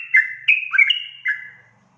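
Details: Yellow-vented bulbul (trucukan) singing in the fast, continuous ropel style, used to provoke rival bulbuls: a clear whistled phrase of four or five slurred, gently falling notes, bubbly and liquid, over a quiet background.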